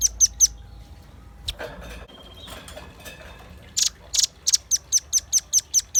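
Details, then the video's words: Velvet-fronted nuthatch singing steadily, used as lure and tutor song: very high, sharp chipping notes repeated rapidly, a brief burst at the start, then soft rustling, then a longer even series at about two and a half notes per second. "Suara kicau pancingan burung rambatan paruh merah gacor"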